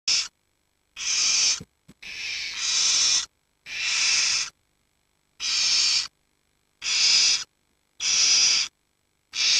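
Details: Barn owl chicks aged 7 to 19 days, huddled together for warmth while the parents hunt, give harsh, breathy hissing snores, each under a second, in an uneven series about every one to two seconds.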